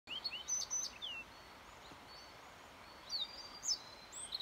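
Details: Yellow bunting singing on 29 May 2021: two short bursts of thin, high, sweet notes, mostly slurred downward, separated by a quiet gap of about two seconds over a steady faint background hiss.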